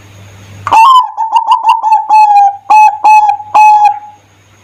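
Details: Lively zebra dove song used as a lure for other doves: a sliding opening note, then soft, fast pulsing coos building into louder, clearly separated notes that end in a fading trail.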